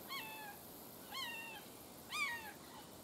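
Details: Juvenile red-shouldered hawk in Florida wetland swamp at Bonita Springs, its call used to tell it from a Cooper's hawk: three thin, descending, slightly plaintive screams about a second apart, over steady background hiss.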